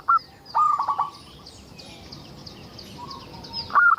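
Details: Local zebra dove song used to coax other doves to sing: a short note, then a stuttering phrase of quick pulsed notes, a long quiet gap with faint chirping of other birds, and a new phrase beginning at the end.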